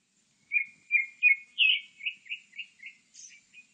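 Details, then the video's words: Grey-backed thrush singing a phrase of about eight clear, whistled notes repeated rapidly, each slurring around the same mid-high pitch, closing with a thin, very high squeak; quiet background. "되지빠귀, 여러번 듣기, 곤충소리, 새소리"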